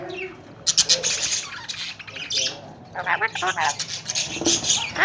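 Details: Tame, talking Alexandrine parakeets (Kashmiri raw parrots), caged and kept in Pakistan, giving loud harsh squawks in irregular bursts, with fainter chatter between them.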